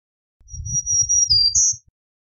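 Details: Thin, sustained high buzz from a black-throated green warbler, a quick lower slide, then a higher final note. Low rumbling knocks run beneath the song.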